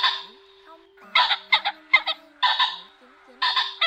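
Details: Male and female ring-necked pheasants call to gather the flock, giving loud grating bursts, a quick pair of sharp notes, then two more broad harsh calls spaced about a second apart, with a faint low tone underneath.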